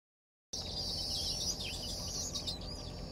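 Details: Baya weavers in paddyfields in Perak, Malaysia, on 23 December 2023 give a dense, high, sizzling chatter with thin wheezy notes and quick down-slurred chips over a steady low rumble.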